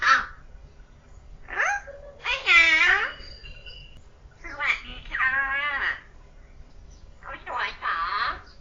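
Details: Pet common hill myna under one year old, kept indoors, talking in imitation of human speech: several short speech-like phrases with harmonic, wavering voice, separated by pauses, in a small quiet room.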